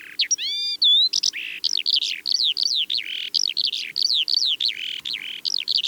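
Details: Calandra lark sings in flight over steppe near Divnoye village, Manych, northern Stavropol, early morning of 21 April 2024: a fast, unbroken song of high chirps, trills and rolling notes, with a few pure whistles near the start.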